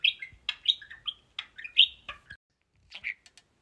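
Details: Pet parakeets during play time, chattering to their toys, give a burst of rapid squeaky chirps and warbles, then pause before a few scattered clicks and a final chirp.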